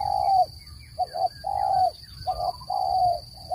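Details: Lure call of a spotted dove for bird trapping: three long, smooth low coos each preceded by a short double note, cleanly spaced, with a faint continuous high tone in the background.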